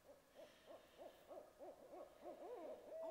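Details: Barred owls (Strix varia) cooing in boreal forest: a rapid series of soft, low, rising-and-falling hoots, about three a second, with a faint higher note near the end.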